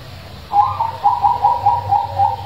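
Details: Zebra dove with a big voice, used to prompt lazy doves into singing, giving a run of low, bubbling, evenly spaced coos about four per second, resonant over a low background rumble.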